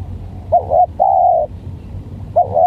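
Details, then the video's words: Spotted dove in a bout between a stammering lure bird and an odd-sounding wild one: a hiccuping double note leads into a long even coo, and the stuttered opening starts again at the end. "Pertarungan Pikat Gagap VS Bl Suara Aneh|| Baru Kali Ini Dapat Tekukur Aneh"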